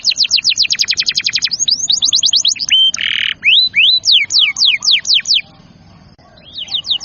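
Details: Canary song played to coax young or silent canaries into singing, a therapy and tutoring recording; rapid trills of descending notes, a brief harsh buzzy burst, then slower looping whistles, with a short pause near the end.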